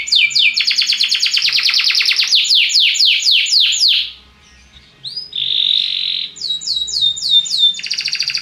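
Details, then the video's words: Belgian canary singing to animate other birds: rapid rolling trills of downswept notes, a short pause, a steady whistled tone, then a fresh series of quick repeated notes. "CANTO DO CANARIO BELGA PRA ANIMAR SEUS PASSAROS"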